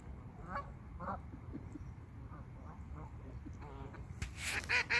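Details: Geese in a pond giving a loose series of brief nasal honks, some doubled, spaced unevenly across the first few seconds, ending in a burst of loud broadband splashing or rustling noise over constant low rumble.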